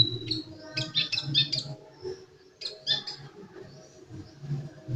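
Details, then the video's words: Sunbird in lively song, delivering quick bursts of high twittering notes separated by short gaps, with a faint low hum behind. "Burung kolibri gacor"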